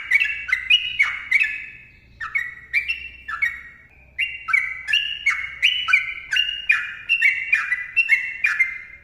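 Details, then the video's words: Sooty-headed bulbul performing a lively, long rapid song for training and lure use: quick series of clear slurred whistles, a brief lull, then another long tight run of rising and falling notes. "TRUCUKAN GACOR ROPEL PANJANG MBONANG SUARA RAPAT"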